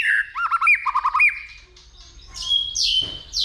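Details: White-rumped shama in fighting song stimulated by a female, giving looping whistled notes repeated in quick groups, then buzzy high phrases after a brief quieter gap.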